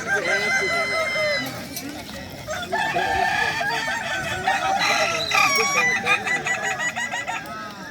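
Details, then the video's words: Competing Kukuak Balenggek roosters in Danau Bawah on Sunday, 6 October 2024: a clear, drawn-out crow, then long runs of quick undulating, stacked notes, amid overlapping crows from other cocks and background clatter. "Lomba ayam kukuak balenggek danau bawah minggu tgl. 6 okt 2024"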